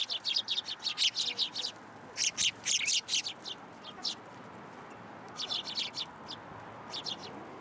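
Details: Sparrows at a Tenmangu shrine, 27 December 2022, gathering to be fed: bursts of quick sharp chirps in rapid runs, pausing between groups, several birds calling over quiet background hum.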